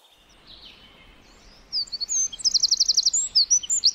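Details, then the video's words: Forest wren bursting into song after a quiet start: a rapid, high, tinkling series of trills and sharp repeated notes, loud and fast, with faint background hiss. "1 Hour Of A Bird (Wren) Chirping In The Forest."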